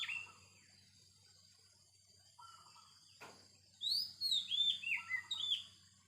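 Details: A wild Oriental magpie-robin sings: a short low chatter, then after a pause a lively burst of high swooping whistles. A single soft thump is heard midway, and a steady high hiss sounds throughout.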